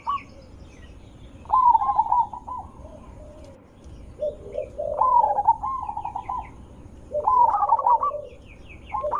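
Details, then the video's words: Zebra dove lure song: three separate phrases of rapid cooing notes with lower trills, spaced a few seconds apart against a quiet background. "Suara Besar Merdu ampuh untuk pancingan burung perkutut"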